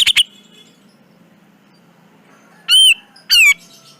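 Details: Black-crested bulbul (cucak jenggot) for song training: two quick sharp chips at the start, a long quiet gap, then two loud slurred whistles, each bending down then up, about half a second apart.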